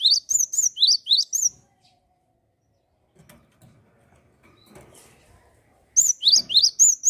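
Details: Java sparrow singing in a lively, energetic way, used to spur other birds into song: bursts of high, quick rising chirps repeated rapidly for about 1.5 seconds, then faint voices and rustling, then another burst of chirps.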